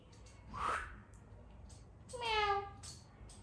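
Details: Indian ringneck (rose-ringed parakeet) kept as a pet, talking while playing: a brief harsh noisy squawk, then after a pause a louder tonal, voice-like phrase with rich harmonics, slightly falling, ending in soft clicks.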